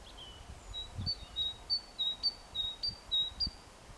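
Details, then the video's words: On 14 April 2021 a tit sings, calling its mate: thin, high whistled notes alternating between two slightly different pitches, about three per second, over faint rustling. "Песня синички"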